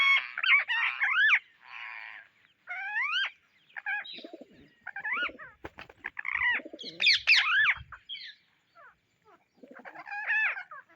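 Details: Indian ringneck parrots searching for seeds give sharp, upward-sweeping, then falling shrieks in spaced bursts, with a louder screech near the end and faint clicks between the calls.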